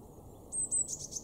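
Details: Eurasian blue tit in a garden in Weener, East Frisia, Germany, in February, giving two thin high whistles then a fast buzzy churring run over low background noise.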